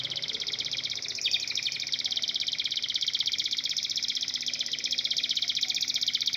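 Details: Local domestic canary giving a long continuous rolling trill, fast and even, with a faint background hiss.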